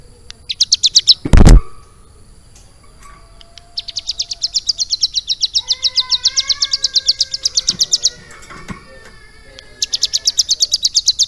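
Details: Mountain prinia trained to mimic lovebird song: bursts of fast high chirping trills, interrupted by a loud thump and a lower whistled tone, then resuming in long rapid chirp series.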